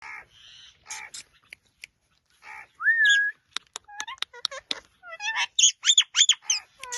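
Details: Pet rose-ringed parakeet talking; a mix of short speech-like syllables, clicks, a rising whistle, and a string of looping warbled whistles near the end, with quiet gaps between.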